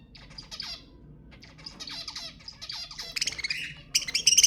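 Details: Budgerigars, played to prompt mating, in scratchy chattering song that builds to louder, sharper squawks and high chirps toward the end.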